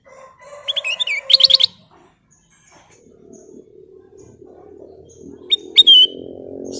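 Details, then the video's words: Golden bulbul singing: two bright whistled phrases, each a few quick rising notes ending in a clear downward-sliding whistle, heard near the start and again near the end, over a low steady hum. "Siulan Cantik Burung Kutilang Emas"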